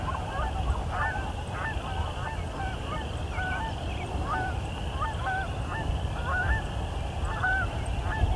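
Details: A flock of Canada Geese gives a steady chorus of overlapping nasal honks, several each second, over a low rumble of distant traffic, after sunset at a roadside quarry during evensong.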